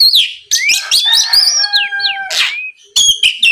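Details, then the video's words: Oriental magpie-robin in full, nonstop song, a lure sound meant to provoke rival birds into answering: rich varied whistles, rising and falling slurs, steady tones near the end and harsh buzzy bursts, with short silent breaks. "SUARA PIKAT BURUNG KACER GACOR NGEPLONG"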